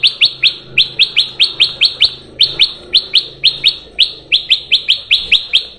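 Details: Sooty-headed bulbul sound for luring birds: a steady run of sharp, paired chip notes, roughly three per second, continuing without a break over a quiet background.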